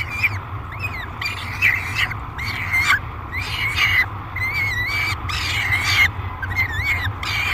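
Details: Peregrine falcon on a nest box camera at Great Spirit Bluff, July 2021, aggressive and loud during feeding: choppy, squawking screams with wobbling pitch, some short and some drawn out, nearly continuous, over a low background hum.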